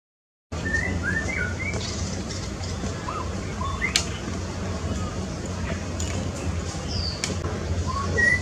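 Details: A male white-rumped shama (Copsychus malabaricus) sings short, clear whistled notes, some sliding up or down, spaced irregularly over a steady low rumble of background noise.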